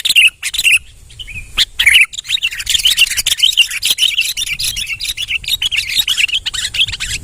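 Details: Actively singing male sooty-headed bulbul giving a few warbled notes at the start, followed by a dense, continuous stream of rapid chattering chirps.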